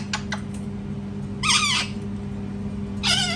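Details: A parrot screaming loudly: two harsh, wavering screeches with many overtones, the second near the end, over a steady electrical hum and faint clicks.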